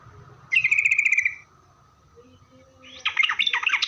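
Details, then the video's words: Yellow-vented bulbul song played as a lure to make other bulbuls answer: a buzzy trilled phrase, a pause, then a burst of bubbly, chattering notes. "suara Trucukan gacor gaja Pikat ini Rajanya bikin nyaut trucuk"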